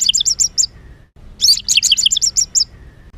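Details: Agitated white-rumped shama singing roughly to stir other birds: two quick runs of high, rapid chirping notes separated by a short silence.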